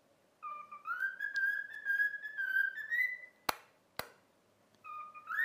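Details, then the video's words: Cockatiel taught to sing "If You're Happy and You Know It" gives one smooth, slowly rising whistled phrase, followed by two sharp taps and a new rising whistle, over a faint low room hum. "COCKATIEL SINGING IF YOU ARE HAPPY AND YOU KNOW IT WHISTLE"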